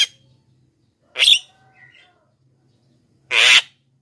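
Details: Jalak kebo (black-winged myna) sound for luring wild birds and encouraging lazy singers: a short harsh note, faint soft whistles, then a longer rasping squawk.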